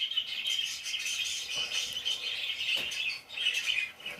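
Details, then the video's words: Parakeets chirping: a dense, continuous chatter of high scratchy chirps and squeaky notes from several birds, with occasional brief louder clicks or wing sounds. "PARAKEETS CHIRPING SOUNDS"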